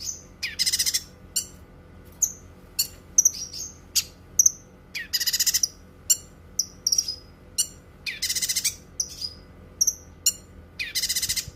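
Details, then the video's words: Cucak kinoi in sustained song, a tutor and relaxation recording: energetic mix of high whistled slurs, quick chirps and repeated harsh rattling bursts of six or seven pulses, recurring every few seconds over faint hum. "Suara Kicauan Burung Cucak Kinoi"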